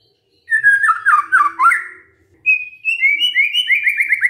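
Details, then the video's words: Magpie-robin song played as a lure to prompt a quiet bird to respond: varied warbled whistles wobbling up and down, a short gap, then bright rising whistles and quick repeated slurred notes. "murai BENGONG langsung NYAUT dengar pancingan ini"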